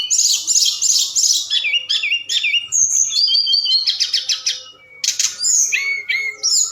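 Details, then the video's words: Forktail lure song recorded at night, intended to make other birds respond: rapid high chirping trills, looping whistled notes and short buzzy rattles follow one another without a break. "Tledekan Gunung Gacor Malam || Suara Pancingan"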